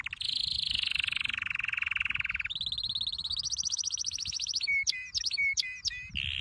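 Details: Canary training song: a fast high roll dropping into a lower trill, then a rising rattling tour followed by sharp separate whistled notes.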